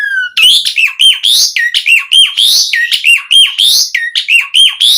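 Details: Asian pied starling song used as a lure to get starlings singing: a loud, fast run of harsh, squawky notes mixed with whistled swoops, repeated about every quarter second, varied and chattering.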